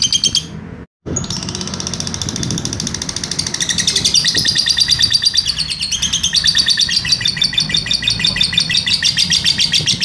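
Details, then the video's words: A lovebird delivers its long ngekek trill, used as a master recording to train other birds: after a brief silence, a fast, bright, rattling chatter builds and runs on continuously with shifting pitch. "masteran lovebird ngekek panjang"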